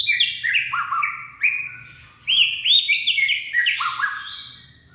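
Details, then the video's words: White-rumped shama, purebred, in late afternoon song on 18 February 2024: quick bursts of rich, varied whistles cascading downward, a short pause, then another lively stream of overlapping whistled notes. "Purebred Bird Song And Dancing/ Birds white-rumped shama.Late Afternoon Singing."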